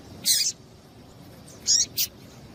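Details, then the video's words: Female double-collared seedeater giving calls that stimulate the male to sing: one longer harsh high chip, a pause, then two short sharp chips close together. "MELHOR PIADO DE FÊMEA DE PAPA CAPIM PARA DEIXAR SEU PAPA-CAPIM DOIDO PARA CANTAR LOGO!"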